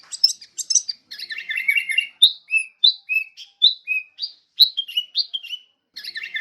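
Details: Sooty-headed bulbul (kutilang) opening with scratchy, buzzy chatter before a string of liquid, downslurred whistles given about twice per second, ending with more chatter.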